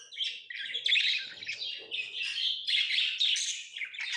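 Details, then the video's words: Pet lovebirds give a dense, unbroken stream of shrill, high chirps and squeaky chatter, fairly even in loudness throughout. "Love birds Sounds | lovebirds chirping sounds"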